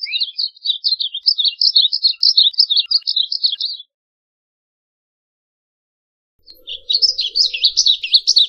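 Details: Two bursts of jumbled, high warbling from a varied bunting, each several seconds long and separated by a pause, with a faint low hum under the second.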